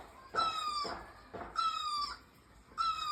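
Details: Bird calling beside a bougainvillea in full bloom: three drawn-out, nasal, evenly pitched notes rich in overtones, each lasting about half a second and repeated roughly every 1.2 seconds, over low background hiss.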